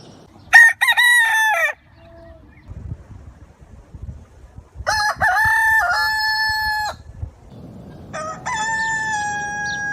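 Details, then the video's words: Three crows from a white rooster spread over ten seconds, each a bright, harmonic-laden call with a choppy start and held ending, separated by pauses filled with soft low background noise. "white cock nice sound"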